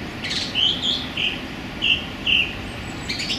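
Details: Male song thrush singing in a small London park on a sunny January day, with a series of short bright notes at uneven intervals amid a steady wash of city background noise.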